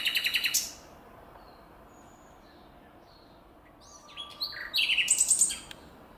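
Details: Common nightingale singing in nature: an opening burst of rapid pulsed notes, a pause of about three seconds with only faint sound, then a fresh phrase of whistles and quick ringing trills.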